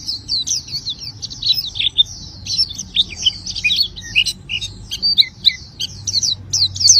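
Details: Oriental white-eye in vigorous song: fast, jumbled high-pitched warbling of thin twitters and quick slurred notes, rising and falling in loudness, over a low steady hum.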